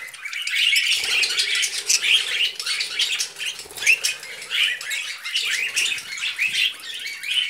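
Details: Pet budgerigars chatter while feeding on vegetables: busy overlapping high chirps and warbles, steady throughout with a few sharper squawks and light rustling.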